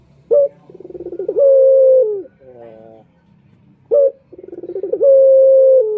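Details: Two full call phrases from a male turtle dove (puter), Indonesia, used to draw in males: each starts with a clipped high note, rolls through a throbbing pulsed stretch and ends in a long flat falling coo.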